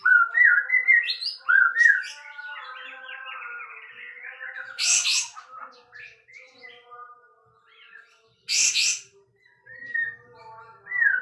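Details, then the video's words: Caged sooty-headed bulbul singing loudly while spreading its tail: varied whistled and warbled phrases, rising slurs and chattering notes, broken by two loud harsh bursts. "Suara Kencang Beset Kapas Tembak"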